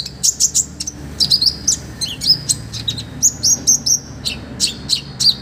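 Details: An olive-backed sunbird delivers energetic master song rich in fill-ins for tutoring other birds: clusters of shrill, high tweets and short slurred whistles, about half a minute's pace of phrase groups, irregularly spaced.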